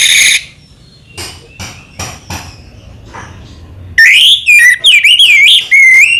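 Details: Orange-headed thrush singing slowly. After a short high burst and near silence with a few faint clicks, loud whistled phrases begin, warbling between mid and high pitch with quick slurs, bursting rapidly in the final two seconds.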